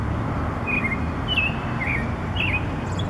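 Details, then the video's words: Bird perched on a wire singing in the morning: four short, bright, slurred chirps spaced about half a second apart, over a steady low rumble like distant traffic. "Bird Singing in the Morning"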